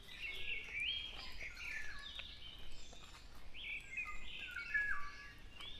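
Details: Black-naped oriole on a morning after rain, calling more continuously than usual. It gives fluid, slurred whistles that rise and fall within a busy chorus of other chirping birds, over a steady hiss and car noise.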